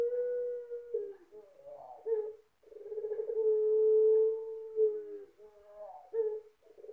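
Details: A ringed Barbary dove with a big voice and thick ending gives deep, hollow coos: a short opening phrase, then a long steady drawn-out note, ending in rolling, broken coos.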